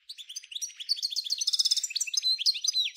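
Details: European goldfinch singing the 'nature' style associated with Djnane Bouecha, Ain Dalia dam and Djoudi farm, Souk Ahras, Algeria, 1995: nonstop high liquid twitters with a dense buzzy trill midway.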